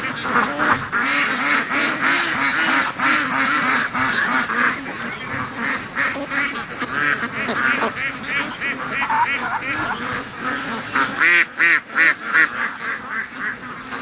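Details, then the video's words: Flock of free-range ducks in a Sunday morning rush, quacking loudly and continuously in a dense chorus that thins briefly and then surges again toward the end. "Ducks' Morning Rush Is Getting Faster & Faster"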